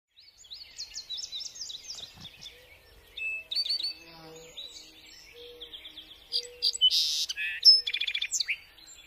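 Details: Song sparrow singing: sharp high chirped notes repeated in quick series, then a loud buzzy burst followed by a fast bright trill near the end; faint low steady tones and soft background noise underneath.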